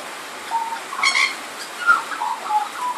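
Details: Australian magpie sheltering from rain under a carport's tin roof sings through its repertoire: a short run of mellow, fluting and warbled notes at middle pitch, one brighter, richer phrase, with background rain hiss.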